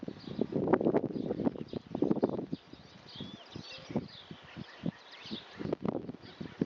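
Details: Great spotted woodpecker knocking, filmed at a distance: bursts of quick, uneven taps, then sparser single knocks, with faint thin bird calls in the background.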